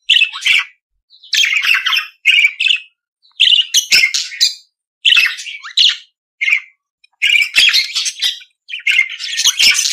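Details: Budgerigar, kept as a pet bird, singing in short bursts of chirpy, scratchy warbling with quick squeaks and trills. Phrases last about half a second to a second and are separated by brief silences.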